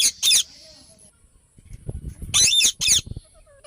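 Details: Ringneck parrot calling in loud, harsh, grating squawks: a double burst at the start, a quiet gap filled with low rumbling handling noise, then two more strident screeches near the end.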